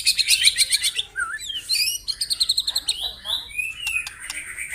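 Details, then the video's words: White-rumped shama singing in the morning, a provoking song meant to rouse rivals into full song: rapid runs of high chirps near the start, then a rising whistle, sweeping slurred phrases and a steady trill of repeated notes. "MENAIKAN EMOSI LAWAN AGAR GACOR & BONGKAR ISIAN ( TEMBAKAN MURAI BATU )"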